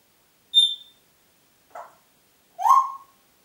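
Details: Congo grey parrot in Diebach near Hammelburg, April 2012, producing a high pure piping tone, a soft muffled note, then a lower rising-falling whistle, each separated by about a second of silence.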